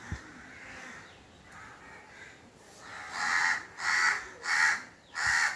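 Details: Crow cawing, faint at first, then four louder harsh caws in quick succession toward the end.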